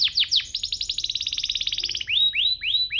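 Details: Canary song used to get other canaries singing: quick down-slurred notes, a rapid rolling trill of about twenty elements, then loud clear rising-falling whistles repeated every quarter second.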